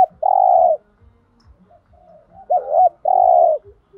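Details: Spotted dove cooing thúc gù style to rouse other doves into calling: a long steady coo, quiet murmured notes, then a dipping double coo and another long coo, over a regular low ticking.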